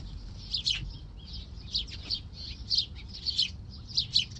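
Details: A thrasher in a chest-bump confrontation with a grackle gives harsh, scratchy chirps in quick bursts, roughly every half second, over a faint low rumble.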